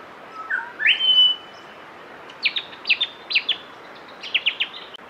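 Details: Grey shrike-thrush singing in Victoria, Australia, in November 2022: a clear whistle that steps up into a sustained high note, then quick runs of bright, down-slurred notes repeated in short bursts over faint background hiss.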